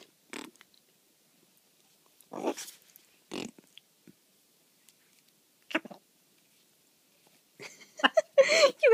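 A blue-and-yellow macaw gives short, sputtering, raspberry-like bursts in scattered ones and twos, then finishes with a harsher run of squawky, rasping sounds.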